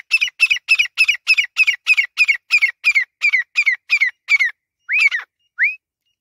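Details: Pakistani grey francolin giving a rapid run of harsh, squawky repeated notes, about three per second, then two clean upslurred whistles after a pause.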